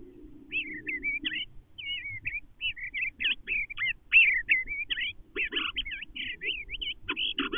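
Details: Resident male Eastern bluebird singing from inside a nestbox: a continuous run of short warbled, slurred whistled phrases, rising and falling, closely spaced over seven seconds, with low muffled rumbling in the background.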